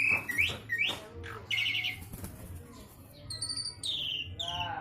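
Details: Jalak suren jawa, the Javan pied starling, delivers varied 'isian sekebon kacang' material: quick rising chirps, a buzzy chattering burst, then clear high whistled notes falling in pitch, with faint low hum beneath.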